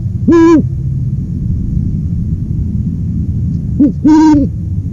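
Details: Two separate deep owl hoots about four seconds apart, each short and slightly rising then falling, with a faint low rumble between them.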